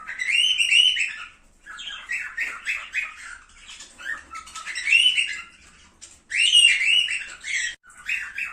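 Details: Cockatiel song to stimulate breeding: loud warbled phrases alternating with quick chirp runs, rising and falling, in several bursts separated by short quiet gaps.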